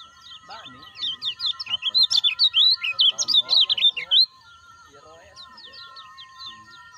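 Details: Stimulus call of a caged lemon-bellied white-eye for birds that have stopped calling: a burst of loud, quick, high twittering notes lasting about two seconds over a steady background hum, followed by softer scattered chirps.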